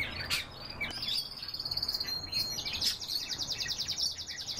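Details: Canary song with a long rolling trill of rapidly repeated high notes lasting several seconds, broken by a few sharp chirps from other birds.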